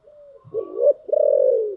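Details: Spotted dove delivering a giọng thổ song phrase: faint low intro, a rising hooked coo, and a loud long tremulous coo gently falling at the end.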